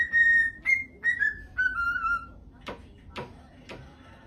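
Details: Parrot at home whistling long, steady notes that step gradually downward, then three sharp clicks over faint room hum.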